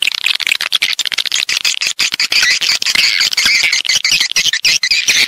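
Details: Swiftlet calling and roosting sounds, recorded in stereo: a dense, continuous chatter of high, buzzy twitters and chirps, with many sharp clicks running through it and no break.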